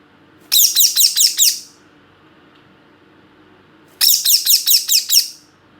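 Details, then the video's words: Parrot chirping in two separate bursts, each a quick run of about six harsh, high, squeaky chirps, with a quiet pause between them. "Parrot chirping sound"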